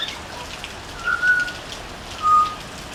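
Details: Butcherbird singing on a veranda, giving clear, pure whistled notes. Two steady notes come close together, then one longer held whistle follows about a second later, over a constant soft hiss.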